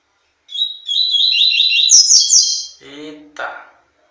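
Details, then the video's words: Double-collared seedeater (coleiro) singing to a female: a fast run of buzzy, warbled high notes rising and tumbling for about two seconds, ending in a sharp high flourish, followed by a brief human voice and a clatter. "Coleiro máquina cantando solto pra fêmea"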